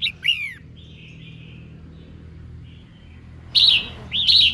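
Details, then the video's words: Female red-whiskered bulbul singing to stir up males: a few bright, slurred whistled notes near the start, a long quiet stretch, then two loud warbled phrases at the end. "Chim Chào Mào Mái Hót Kích Trống"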